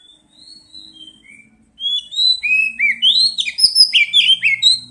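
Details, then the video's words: Oriental magpie-robin lure song opening with soft, distant-sounding thin whistles, then bursting into loud, rich, rapidly varied whistled phrases with swooping notes for the last three seconds, over a faint low hum. "Pancingan kacer bahan dan terapi bunyi | cepat bunyi respon"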